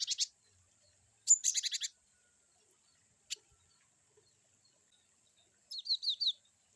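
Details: Cinereous tit (glatik batu) with varied 'wucit' song: a short buzzy burst, a rapid run of about five harsh ticking notes, a single click, then four quick ringing downslurred notes.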